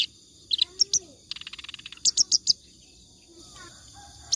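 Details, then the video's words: Clamorous reed warbler singing continuously, a song suited as a model for training other songbirds; scattered harsh chattering notes, a quick run of buzzy notes midway, then four loud harsh chips, with quiet gaps between phrases. "BURUNG KERAK BASI NGACOR COCOK BUAT MASTERAN"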